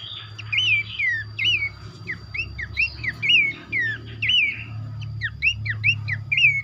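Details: Mixed lure recording featuring Horsfield's babbler: continuous chatter of curling whistled notes and downward slurs, several voices overlapping in an even stream, with a low droning hum throughout.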